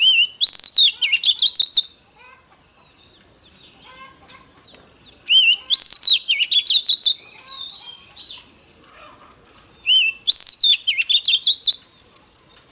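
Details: Female Oriental magpie-robin singing to stimulate males: three loud whistled phrases at roughly four-second intervals, each a rising slur then a rapid string of sharp notes. A steady thin high tone runs beneath, with soft twittering between phrases.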